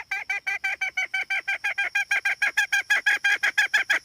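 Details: A hen calling loudly in a fast series of short, harsh, honking notes, about three per second, held steady for the whole stretch with no other sounds.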